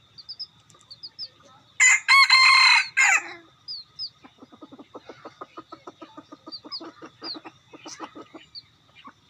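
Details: Decoy rooster gives a loud, raspy crow lasting about a second and a half, followed by a long train of rapid, evenly spaced soft clucks; thin high chirps from small birds sound throughout.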